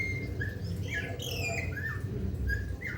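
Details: A golden myna from Papua gives a string of clear whistled notes, some sliding upward and others falling, spaced irregularly over a strong steady low hum.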